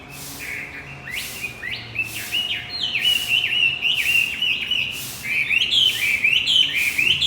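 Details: Javan white-eye song played as a lure to restart a male that has stopped singing: a fast, continuous high twittering of rising and falling chirps, about four notes per second, with faint low hum beneath.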